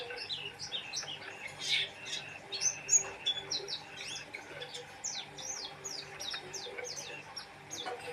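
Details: Oriental white-eye in vigorous song, delivering a dense stream of high, sharp chirps and slurred whistles at a fast pace, some notes louder and piercing, with low electrical hum behind.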